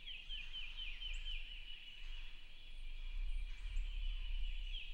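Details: Distant gobbling of a male wild turkey on the roost, opening morning of turkey season, heard through rain about 150 yards from camp; quick tumbling descending notes repeated, rain hiss throughout.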